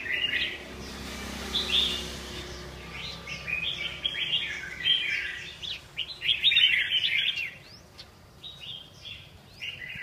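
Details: Red-whiskered bulbul delivering a fast, jumbled run of bubbling whistles and chirps, many short notes in quick succession, over a steady low background hiss.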